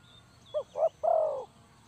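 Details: Spotted dove, called tekukur, used as a lure call for trapping doves: two short low coos followed by a longer drawn-out coo that slowly falls, with faint higher bird chirps in the background.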